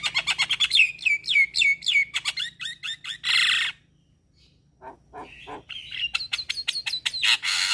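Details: Javan myna delivering full-fill song: a fast train of metallic notes trailing into falling whistles, a loud hissing rasp, silence, soft knocking clicks, then a rising run of ringing notes and a final harsh rasp.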